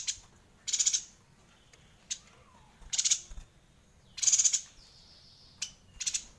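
A yuhina gives bursts of high, harsh, buzzy chatter, each under half a second, about once a second with short pauses. A faint steady hiss sits underneath.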